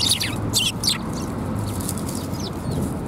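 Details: Sparrows coming to be fed at a Tenmangu shrine on 7 January 2021: a few sharp high chirps in quick succession early on, then fainter scattered chirps over a steady low rumble of background noise.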